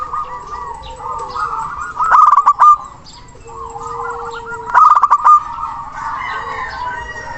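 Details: Zebra dove, local Indonesian type, singing loudly with long breath to summon a rival: paired loud rolled bursts repeating about every three seconds amid continuous softer wavy cooing.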